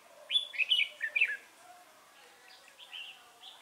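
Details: Red-whiskered bulbul decoy bird used in trapping, recorded 3 November 2018, giving a fighting song: a burst of bright, bubbly warbled phrases in the first second and a half, then quieter fainter notes.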